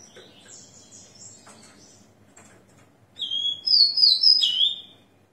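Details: Rufous-collared Sparrow, a ringed captive bird, singing after moulting at six in the morning, 29 September 2021: soft background rustling, then one loud whistled phrase of a steady note and higher, gliding whistles.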